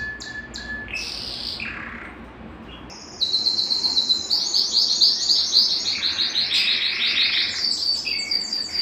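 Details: Belgian canary singing to stimulate males and bring females into breeding condition: soft scattered chirps and a low whistle, then after a short quiet spell a loud, fast, high trill bursts in and rolls on.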